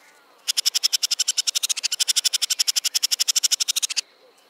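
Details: Male Crested Barbet song: its distinctive trilled rattle, a long, even trill of about three and a half seconds of rapid, dry pulses, roughly ten a second, with no other sounds.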